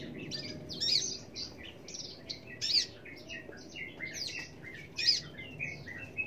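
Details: An Australasian bushlark delivers quick varied phrases of high chirps and slurred whistles, punctuated by sharper accented notes roughly every two seconds, against a quiet low rumble.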